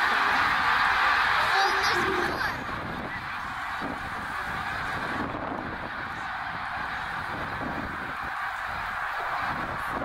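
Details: Migrating snow geese in a huge flock at Middle Creek, Pennsylvania, 2023, swirling through the sky; a constant wall of overlapping honks, loudest in the first two seconds, with a faint human voice mixed in.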